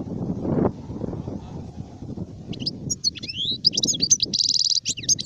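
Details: Adult European goldfinch, called sharif, singing in 2019: after a low rumble at the start, a burst of high twittering notes, rapid trills and a buzzy rattle takes over in the second half.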